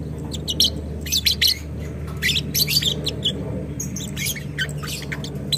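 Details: Violet ewing gold lovebird giving a long ngekek used to train other birds: fast clustered squeaky chirps and scratchy notes in uneven bursts, with a steady low electrical hum beneath.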